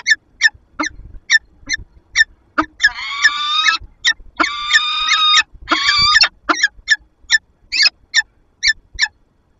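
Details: Female peregrine falcon with her mate in a Lublin nest box, 15 February 2022, nest camera recording: evenly paced harsh chips broken by three drawn-out, tonal, whining wails about a second each, then chips again.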